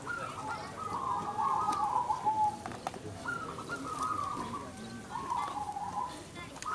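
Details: Zebra doves, local crossbred birds, singing in a competition: three clear rolling, slightly descending coo trills, each about one to two seconds long, with faint clicks and light background noise.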